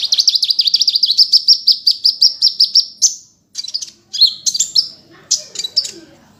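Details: Kolibri ninja sunbird from Indonesia singing a rapid, steady trill of high, sharp notes repeated almost twice a second for three seconds, then broken into scattered bright chirps and short buzzy phrases.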